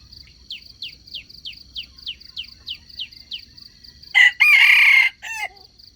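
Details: A series of quick descending chirps, about three a second, gives way to a loud wild junglefowl crow, used as a lure when trapping wild chickens: brief lead-in, long grating middle, falling final note. Insects hum throughout.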